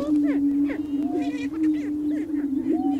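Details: Greater prairie chickens at a spring lek, males displaying to attract females: a low sustained boom throughout, with quick cackles, a brief rattling note and arched whooping calls.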